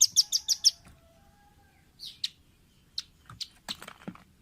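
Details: Velvet-fronted nuthatch used as a training recording for caged birds: opens with a fast burst of five shrill chit notes, a pause, then scattered single sharp chips and a rougher cluster near the end.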